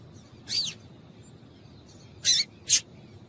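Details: Female double-collared seedeater call, used to stimulate males into singing: three short, high, sharp chirps, the first a brief descending slur, the last two close together, over quiet background hiss.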